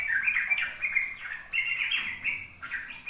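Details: Sooty-headed bulbul ropel song meant to lure young birds into learning: slurred, warbling notes in quick bursts, rising and falling, with light background hiss.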